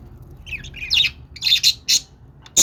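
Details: Budgerigar warbling chatter, a run of quick high chirps and scratchy notes, then sharper loud squawks in short bursts, with a faint low hum behind.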